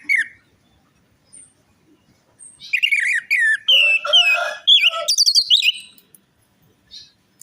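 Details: Song of the orange-headed thrush, played to prompt a silent or stressed bird: a short whistle, then a dense stretch of varied whistled phrases mixed with lower rasping notes and rising slurred whistles.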